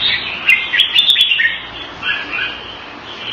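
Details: Singapore-kept caged red-whiskered bulbul, February 2018: a quick run of bright chirped notes with clicks, followed by softer, lower warbled phrases.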